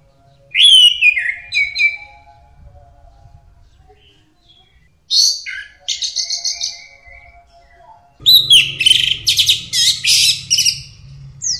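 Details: Orange-headed thrush in full song for bird training: three varied phrases of sliding whistles, fast trills and scratchy notes, the last long and dense, with a low electrical hum beneath.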